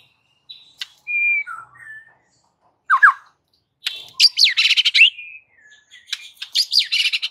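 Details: Fierce, fighting white-rumped shama song used as master training material: short whistles and a slurred downward note, then a burst of dense, buzzy, chattering phrases with rapid sweeping notes, on a quiet background.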